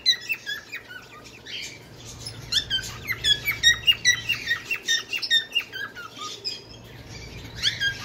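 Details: Bengalese finch singing a long run of quick, high, slurred chirps and squeaky notes, fairly steady at roughly two or three per second, with faint background hum.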